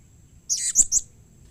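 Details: Brief squeaky, high three-part chirp from a blue-crowned hanging parrot, given to make other hanging parrots respond. It is short and slightly scratchy against a quiet background.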